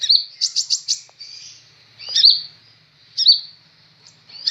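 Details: Sunbird called kolibri ninja, new to its keeper, singing actively: a rapid string of four high pulsed notes, then a thin buzzy trill, then single sharp chirps every second or so over a faint low hum.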